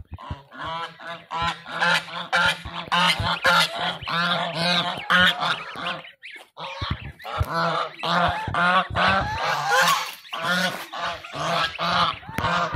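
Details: Angry ducks accompanied by ducklings in Pakistan give dense, overlapping harsh nasal quacks almost without pause, about two a second, with one short gap near the middle.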